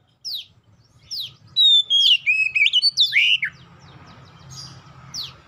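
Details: Oriental magpie-robin song for prompting other magpie-robins to sing: a few isolated downward zips, then a rapid run of bright whistles and slurs ending in a falling note, followed by low background hum.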